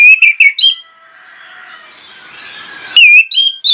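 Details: Orange-headed thrush singing a lure song that pours out its repertoire to trigger other birds. Bright, ringing whistled phrases open and close the stretch, with a soft hiss in between.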